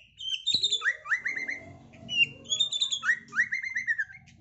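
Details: Contest-bound caged white-rumped shama from Medan sings bright repeated upslurred whistles in two bursts, each note rising sharply, overlaid with thin high chirps.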